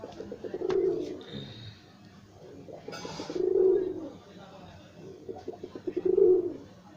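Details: Pet pigeons indoors give three deep, throaty, rolling coos spaced about two and a half seconds apart, with light rustling and a brief sharp clatter between them.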